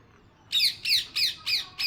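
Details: Parrot letting out five shrill, harsh squawks in quick succession, each a short downslurred screech.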